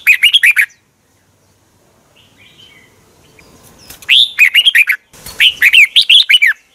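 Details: Thai Red-whiskered bulbul kept in a cage delivers rapid bursts of loud, bubbly warbled notes, one phrase at the start, then two closely spaced phrases after a quiet pause.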